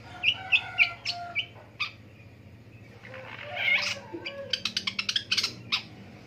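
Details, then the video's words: Long-tailed shrike calling in the morning: harsh, scratchy notes in short bursts, a drawn-out rasping phrase near the middle, then a fast run of sharp clipped notes toward the end; low hum underneath. "INDAHNYA DI PAGI HARI MENDENGAR SUARA PENTET"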